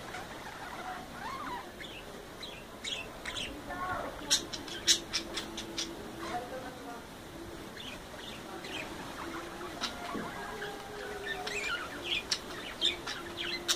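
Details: Budgerigars showing breeding and mating behaviour chatter with sharp clicks, squeaks and warbled notes in an irregular, busy stream.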